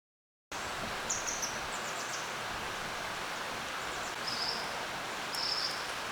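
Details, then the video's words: A common kingfisher gives three short, shrill, very high whistles spaced a few seconds apart, over the steady rush of a flowing stream in a cool valley. "물총새(Common Kingfisher) - 시원한 계곡 소리(The sound of a cool valley)"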